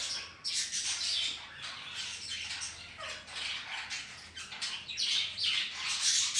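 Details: Pet budgerigars in a mixed home colony with ring-necked parrots: dense, overlapping high chirps, squeaks and raspy warbles from many birds, with a few down-slurred whistles and a nearly unbroken busy chorus.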